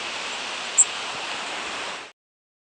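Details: Blackpoll Warbler flight call, one of the 'zeep' complex, its two middle modulations bolder than the first and last: a single very high, thin 'zeep', over in an instant, against a steady hiss.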